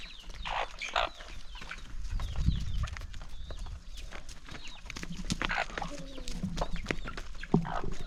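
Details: Flock of chickens at a morning feeding in the countryside; scattered clucks and a few peeps sound over steady pecking, scraping and low rumbling noise.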